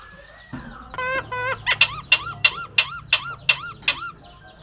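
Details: Myna copying a cough, laugh and human voice: a steady tone, then a string of about eight squeaky, rising-falling harmonic notes repeated roughly three times per second.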